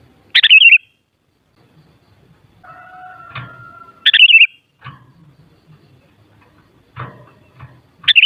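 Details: Sooty-headed bulbul song meant to make a kutilang sing back: three short warbled phrases about four seconds apart, with a thin steady hum and soft low knocking in the background.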